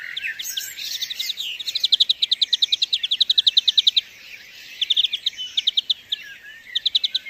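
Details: In the wild, a European greenfinch delivers long, even rattling trills of rapidly repeated notes, about six per second, mixed with twitters and buzzy sounds, over faint high background hiss.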